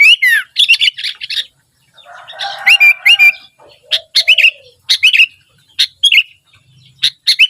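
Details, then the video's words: Persistent song of a sooty-headed bulbul (kutilang): a descending whistled sweep, then rapid bubbly chirp phrases; midway, a pair of clear rising whistles over a softer murmur, followed by more repeated liquid phrases. "kutilang gacor dorr"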